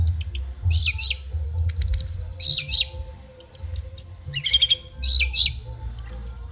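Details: Long-tailed shrike of Madura, kept in a cage, giving training song with high thin whistles, dropping slurred notes and brief chatter, pauses between phrases, low background hum.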